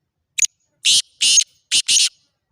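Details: Call of a black francolin, a harsh grating phrase of five notes: a short clipped note, two long buzzy notes, then a quick short-long pair, with nothing else audible.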